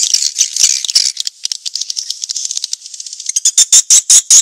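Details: Lure recording for drawing in swiftlets, dated 2019: rapid, buzzy, rattling chatter at first, then a run of separate, louder, evenly spaced high chirps near the end.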